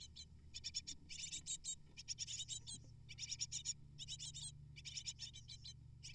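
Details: Eight hungry great tit nestlings beg while their parents bring prey. Dense clusters of shrill, hissing chirps repeat in bursts about a second apart, with a low background hum.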